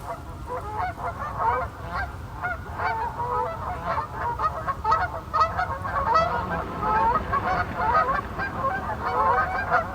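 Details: In Maine in autumn, a flock of about 15 to 20 Canada Geese takes off from a lake, giving overlapping two-note honks repeated rapidly as they leave, over a low rumble; recorded on a cell phone.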